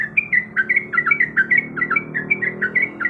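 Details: Yellow-vented bulbul female, in breeding condition, calls for a male with brisk bright chirps about two to three per second, each a quick bent note, some paired up- and down-slurs.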